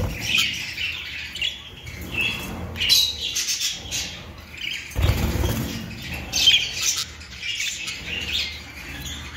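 Budgerigars chattering in quick, scratchy chirps and squawks, with bursts of wing flutter and handling noise.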